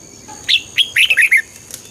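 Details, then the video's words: Red-whiskered bulbul song played to excite listeners: one short, lively phrase of about six liquid, slurred whistles spanning a second, with a quiet background. "เสียงนกกรงหัวจุก ชัด 100% เปิดต่อ ให้นกคึก"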